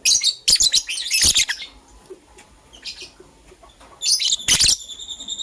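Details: Green and blue pet lovebirds chirping in the morning as they prepare for egg laying; dense runs of sharp, shrill chirps at the start, a short quiet gap, then another strong cluster of harsh high notes near the end.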